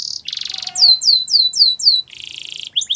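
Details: Yellow canary's morning song: buzzy rolling trills, six loud descending whistled slurs, a lower buzzing roll, then a couple of bright chirps.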